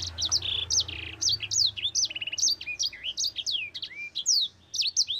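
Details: Mozambique canary in long rolling song, used to train other birds: a fast, continuous stream of high sweeping whistles, slurred up-and-down notes and short buzzy trills, with barely any pause.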